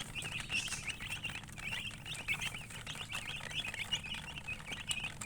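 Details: Baby chicken chicks chirping as a flock, a dense, continuous chorus of high, short peeps overlapping one another with no pauses, over a faint low background hum.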